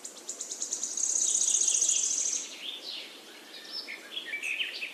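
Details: Short high chips repeat rapidly, then become a loud, buzzy, sustained trill, followed by softer scattered chirps and twitters from other birds.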